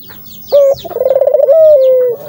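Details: Barbary dove coo, used to set doves calling. A brief clear note leads into a quick throbbing roll and a held note that eases downward, with light high twittering from other birds.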